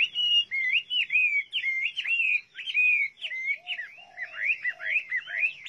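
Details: Chinese hwamei song of loud, ringing, slurred whistles delivered in a fast, rolling series, each note bending up or down, with a few softer lower notes in the background.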